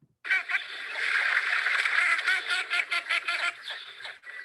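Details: Female Northern Shoveler at Bear Island, South Carolina, in winter gives a rapid descending series of harsh, nasal, mallard-like quacks over about four seconds; a red-winged blackbird can also be heard, indicating water nearby.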